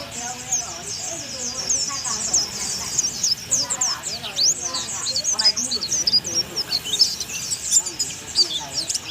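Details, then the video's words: Thai oriental white-eye delivering a bongkar isian song meant for tutoring other birds: dense, high-pitched twittering and squeaky slurred notes throughout, over a busy background of lower warbling sounds. "burung pleci unik dari thailand"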